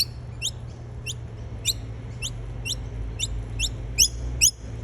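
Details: A Noisy miner feeding on nectar in Australia gives sharp, high chipping notes that sweep steeply downward, about two each second at an uneven pace, over a low steady hum.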